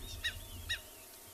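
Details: An African wattled lapwing gives two sharp, high, piping notes about half a second apart over a low rumble, on a morning game drive in a South African private game reserve, 9 November 2020.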